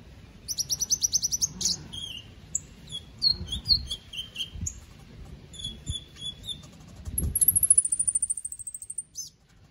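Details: Caged white-rumped shama from Palu, Central Sulawesi, performing in an online song contest; rapid high rattling trills, short whistled notes and a long high sweet whistle with fast trill near the end, faint low background sounds.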